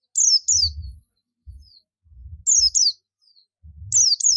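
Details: Oriental white-eye, buxtomi type, calling to draw other white-eyes: paired high, falling chirps repeated roughly every second and a half, over intermittent low thuds.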